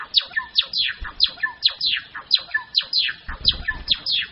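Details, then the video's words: Grey-form Java sparrow: rhythmic, rapidly repeated downward-slurring high notes interleaved with short tinkling pips, the series running on without pause, with occasional low rumbling in the background. "灰文鳥(爪哇禾雀)/Padda oryzivora(Gray-headed Mannikin)song"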